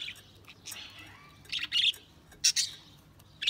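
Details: A few budgerigar chirps scattered over a quiet background: a soft warble, then two loud, harsh squawky bursts separated by short silences.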